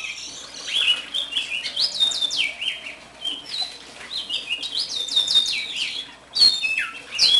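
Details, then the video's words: A captive, nest-raised one-year-old House finch sings a long, rambling, bright, high warble of quick slurred rising and falling notes, almost without pause, while a young Brown-backed Solitaire warbles its still-unformed song in the background. "Gorrion Cantando Carpodacus Mexicanus Singing"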